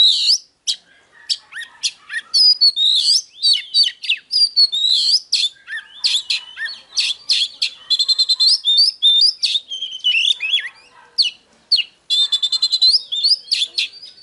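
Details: Oriental magpie-robin song for stimulating other magpie-robins: a long, energetic, almost unbroken medley of loud clear whistles, buzzy trills, sharp chips and sweeping slurred notes delivered in rapid succession.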